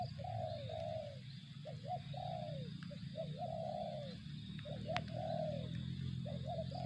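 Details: Spotted dove cooing in a steady series of short notes and longer downward-curving coos, with a constant low-pitched background drone and a sharp click.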